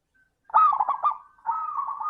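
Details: Zebra dove lure song in 'crystal' voice style for prompting lazy doves to sing; quick stuttering coos run into a long, level, slightly wavering note.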